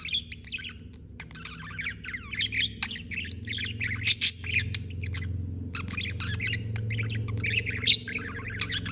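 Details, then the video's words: A budgerigar chirps non-stop in busy twittering bursts with sharp squeaks, over a steady low hum in the background. "Chirping non-stop"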